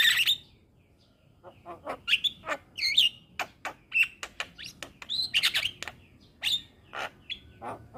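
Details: Javan myna song used to tutor young birds: a lively, uneven stream of clicks, scratchy chirps and short whistled notes over eight seconds.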